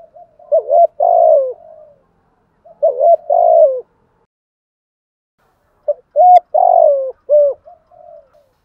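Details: Spotted dove kept as a decoy, calling in the morning to attract a flock: three low, hoarse cooing phrases, each a short rising note, a longer rolling coo and a falling note, separated by silent gaps.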